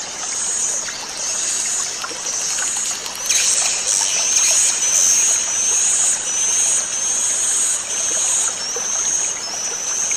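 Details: Swiftlets, a new 'inap' roosting sound played to make the birds settle and relax: dense, continuous high-pitched twittering with rapid rising chirps and clicks, steady throughout against a faint trickling hiss.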